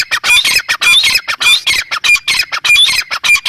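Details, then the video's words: Grey francolin, locally teetar, giving a loud, nonstop string of harsh, grating squawks, about 100 a minute, at a jerky, uneven pace. "Teetar sound | teetar awaz | teetar ki awaz | gray francolin teetar sound"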